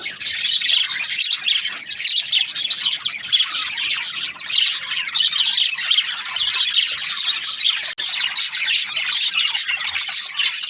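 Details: Australian budgies chirping in a dense, continuous chorus of overlapping high warbles, squeaks and chattering notes, with a brief dip near the eighth second.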